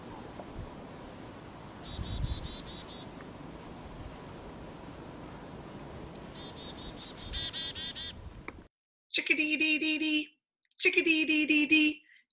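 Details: Black-capped Chickadee giving its chick-a-dee call: thin, high chick-a notes followed by two long runs of harsh, buzzy dee-dee-dee notes, over a low background hiss.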